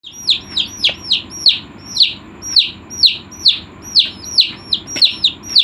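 Chicken chicks peep steadily: high, thin notes that drop in pitch, about two each second, with several birds overlapping. A low murmur sits underneath.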